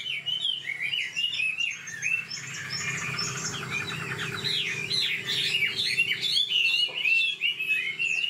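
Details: An old wild-caught Chinese hwamei kept in a cage sings fast and varied: whistled loops giving way to busy, chattering warbles and bright slurred notes.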